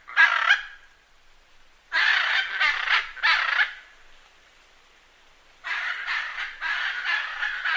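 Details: Macaw bursts of harsh, screeching squawks: one loud call, a pause, a rapid run of three grating shrieks, silence, then another string of raspy squawks.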